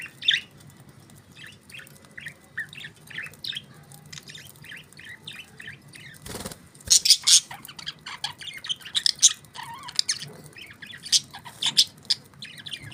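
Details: Budgerigars chattering: many quick, thin chirps and buzzy warbled notes at first, then a sudden flutter of wings followed by louder, denser bursts of scratchy chirping and squawks.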